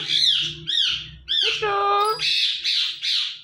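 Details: Indian ringneck parakeet, a pet talking parrot, giving a run of harsh, high, scratchy squawks, then a short voiced word-like syllable in the middle, then more rasping squawks in quick succession.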